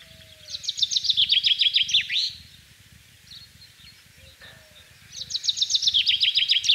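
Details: Common chaffinch singing in spring in the countryside of central France, recorded 24 March 2012: two bright, rapid descending trills of repeated notes, each phrase about 1.7 seconds and ending in a flourish, separated by a pause of roughly three seconds.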